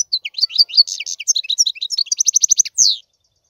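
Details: European goldfinch singing a quick, high twittering phrase of varied chirps that speeds into a rapid run of evenly spaced notes, ending in a single downward-slurred buzzy note; clean recording with no other sounds.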